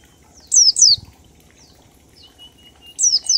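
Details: Oriental white-eye singing in the ngalas style with a 1234-beat pattern, used as a lure to make other birds sing; pairs of high, thin whistles sliding steeply downward, with fainter single slurs between and a quiet background hiss.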